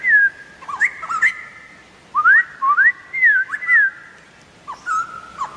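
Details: Wild White-crested Laughingthrush giving clear whistled song: series of upward-sweeping and wavering notes in quick bursts, separated by a brief silent gap, with a few sharp clicks.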